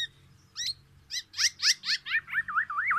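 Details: Black-naped oriole, a tame and very vocal bird, delivering a quickening string of loud, sharp, downslurred notes that run into a fast, wavering whistled trill, with low background hum.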